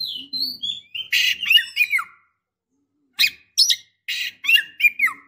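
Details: Female white-rumped shama in breeding condition calling to a male: clusters of harsh, scratchy notes mixed with short whistled slurs, given in two bursts separated by about a second of silence.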